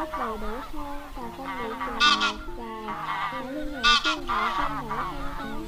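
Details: Wild geese calling to gather the flock, a recording used as a lure for net trapping; overlapping nasal honks rising and falling, with loud bright bursts near two and four seconds.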